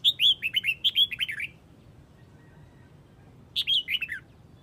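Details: Red-whiskered bulbul, Huế type, summoning its flock with a fast tumbling string of bright whistled notes lasting over a second, then after a pause a shorter burst of four descending chirps.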